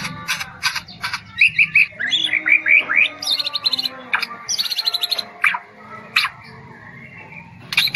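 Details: White-rumped shama of the Medan type, a competition bird that bows low while singing, delivers a rich, fast-changing song of sharp high chips, rolling whistled trills and clear rising notes, phrases tumbling one after another.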